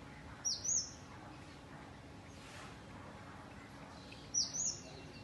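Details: A sunbird feeding on nectar gives two brief, very high, thin twittering phrases about four seconds apart, over a quiet background hiss.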